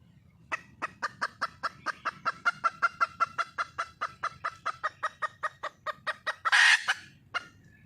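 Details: Hen junglefowl calling for a mate, delivering a steady run of about thirty quick, regular clucks that ends in a loud, coarse squawk and one last short note.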